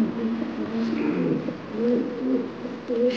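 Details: Imported fancy Beauty Homer pigeons in a pigeon collection give low, throaty cooing in several overlapping rolling phrases, with the murmur of a small indoor room and faint voices.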